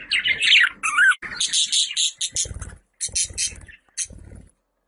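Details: Pet budgie calling sound: loud rasping squawks and chirps delivered in quick clustered bursts, some harsh and buzzy, trailing off to silence.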